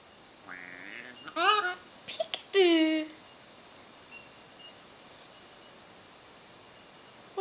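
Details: A male pet Eclectus parrot talks in a few quick, nasal, word-like phrases with harmonics, then falls quiet against faint indoor room noise.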